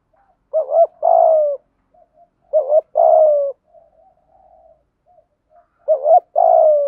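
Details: Spotted dove decoy calling to draw in wild birds, style gáy gọi một hậu; three repeated two-part phrases, a brief wavering coo then an extended downward-sliding hoot, with a long quiet pause before the last.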